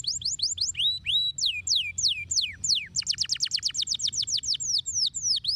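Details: Canary singing a stimulating song to prompt a quiet canary: repeated high downward-sweeping whistles, a few longer slurred notes, then a quick even trill of descending notes, with low background rumble.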